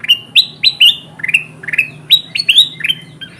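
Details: Lively, bright bulbul chirps in an uneven series, each note sliding upward and then falling, used as a lure to call wild kutilang emas bulbuls toward traps.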